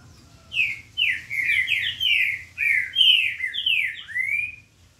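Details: A green-winged saltator (Saltator similis), recorded 8 October 2021, delivers about four seconds of rich, fast warbling of sliding whistled notes, mostly falling in pitch, with a faint low hum beneath.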